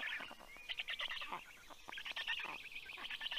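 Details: Black stork (Ciconia nigra) chicks in the nest growl as an adult comes home with fish, 9:56 AM, 11 June 2022: harsh, raspy, wheezing growls in overlapping bursts, about one a second, noisy rather than tonal.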